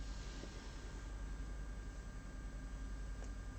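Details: Steady low rumbling hum like engine or room noise, with faint broadband hiss and no animal calls.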